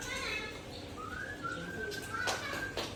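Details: Relaxed dusk singing of a White-rumped shama of the Aceh type: one long, clear whistle that rises briefly and then holds level, with sharp clicks and rustling noises near the end.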